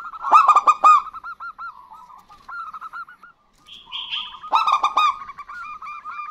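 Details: Local zebra dove male and female duetting as a lure. A loud phrase of quick, ringing coos, then a chain of gentle, looping notes. A brief higher buzzy sound comes before a second loud, clipped phrase.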